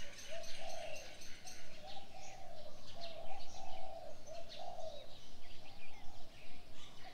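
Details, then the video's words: A rhythmic low cooing repeats steadily through the morning scene, phrase after phrase, while many high chirps and a rapid ticking burst at the start fill the upper register. "Birds sounds on the morning 清晨鳥鳴"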